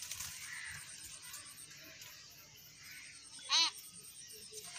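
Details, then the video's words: In a garden, a playing talking myna bird makes one short, loud, nasal harmonic call late on, surrounded by a continuous high hiss and scattered faint chirps. "Talking Myna Bird"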